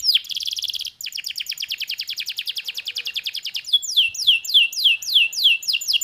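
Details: Canary singing a fast trill of down-slurred notes, a brief break, then a long rapid high trill, ending in a slower run of loud downward-sweeping whistles about three per second.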